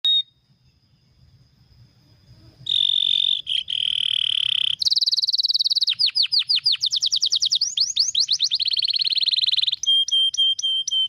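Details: Canary singing a fast, dense 'gacor speed rapat' song: after a quiet start, loud sustained buzzy trills near the upper register give way to rapid repeated sweeping notes, then a run of clipped whistled notes at the end.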